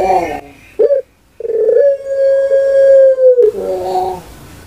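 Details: National-champion puter pelung dove, a kept competition bird. After a throaty opening and a short clipped note comes a single prolonged, even coo of about two seconds that dips at its end into rough gurgling.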